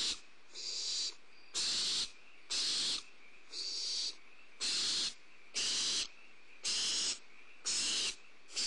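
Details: Repeated breathy screeching from Barn owl owlets during a prey drop at Starr Ranch, 2 April 2011, recorded on a nest camera: about eleven hissing bursts in quick succession, nearly one per second, some slightly weaker.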